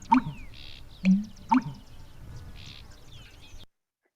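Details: Breeding-season American bittern giving its deep, gulping pump-er-lunk, three hollow, very low notes over about 1.5 seconds whose low pitch carries through dense marsh vegetation, with faint high buzzy sounds behind.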